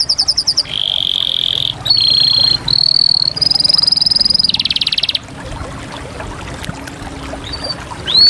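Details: Canary performing a varied song: rapid chirps, then a chain of steady rolls and trills that change pitch every second or so, followed by scattered soft notes and a rising whistle.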